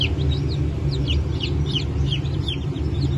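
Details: Many newly hatched Cream Legbar and Rhode Island Red chicks, 29 August 2024, giving rapid, high, downward-slurred peeps over a constant low motor hum.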